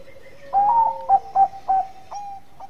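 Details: Zebra dove of the Bangkok type cooing to provoke rivals: a rising opening note followed by three short rhythmic hoots about a third of a second apart and a trailing softer tail, with faint distant cooing before it.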